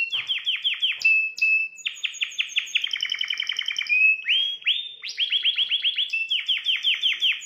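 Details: Canary song to arouse a female: loud, fast series of rising chirps repeated in runs, a brief steady whistle, a rapid rattling trill, then more quick rising notes.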